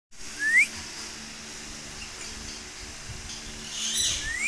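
A young African grey parrot gives two short, rising squeaky whistles about four seconds apart, over a faint background hiss.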